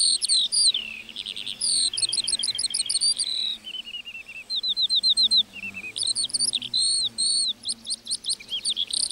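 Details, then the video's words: A lark sings over a meadow, its unbroken high-pitched outpouring mixing rapid trilled runs, clipped twitters and thin rising and falling whistles. "Singing lark in the meadow"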